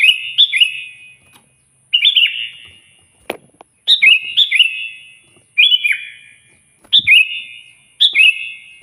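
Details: A sooty-headed bulbul sings loudly to call a rival, steady series of short bubbly, fluting phrases with quick rising and falling turns, every second or so, with occasional taps.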